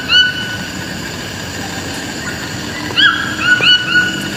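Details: Toucans on a rural property calling with ringing, upward-sliding yelps at the start, then a rapid run of three more after a quiet stretch, against soft background hiss.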